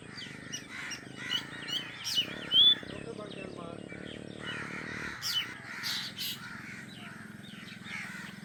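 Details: Drongo chicks, just hatched, beg in the nest while awaiting the mother's return with food. Scratchy, chattering calls come in uneven clusters and rise to a few louder rasps midway, over a low droning background.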